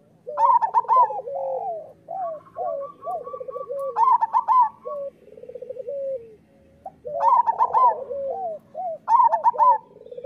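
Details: Actively singing local zebra doves, used as a training song: repeated bursts of clipped high coos and rolling lower trills, with a second bird's steady purring trill overlapping behind.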